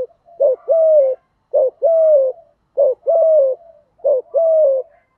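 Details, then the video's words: Spotted dove kept as a lure bird, calling in the 'thổ' voice style to provoke wild doves: a clear, low cooing phrase repeated four times about every 1.3 seconds, each a short note followed by a longer, gently falling coo. "cu gáy giọng thổ THÚC GÙ, chim cu gáy kích bổi"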